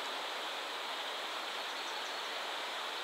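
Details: Savi's warbler at Bolimów reservoir gives a steady, fast, insect-like reeling buzz, unbroken and fairly high-pitched, over a hiss of background noise.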